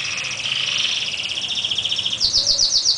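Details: A pair of canaries in a singing duel, a long sustained warbling phrase breaking into a rapid, evenly pulsed rattle of repeated notes.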